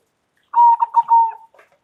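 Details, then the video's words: Single loud coo phrase from a local zebra dove: a fast run of four stuttered, throbbing notes melting into a sustained, slightly falling tone, then a soft trailing murmur. "Perkutut Lokal Gacor Suara Lantang"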